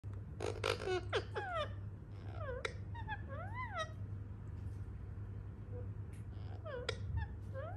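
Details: Indian ringneck parakeet wanting affection: clear whistled calls sweeping down then up, some arched, in short clusters with pauses, over a low steady indoor hum.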